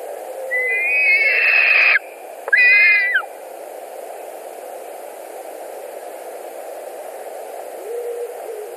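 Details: Two loud whistled screams from white-tailed eagles at a Latvian nest, 2 August 2020, squabbling over a delivered carp. Each falls at its end, followed by several seconds of quiet background hiss.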